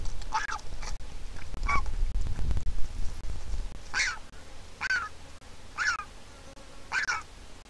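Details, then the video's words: Griffon vulture chick at an Israeli nest cam, offspring of a handicapped pair, begs for food as its mother comes: a few soft squawks, a deep rumbling bump from the nest, then four stronger nasal calls roughly one second apart. "Baby Griffon Vulture begs for food and Mom comes to feed it."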